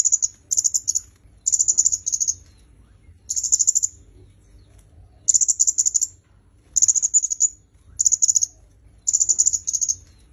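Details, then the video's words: Training recording for songbirds of a red-headed myzomela: eight brief clusters of shrill, rapidly ticking notes spread over ten seconds, with short silent spaces between them. "Suara Kemade Kepala Merah"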